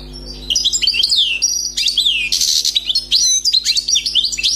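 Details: European goldfinch, a wild bird recently trapped, singing an unbroken stream of liquid twitters, slurred whistles and a harsh buzzy note midway, over a faint low hum.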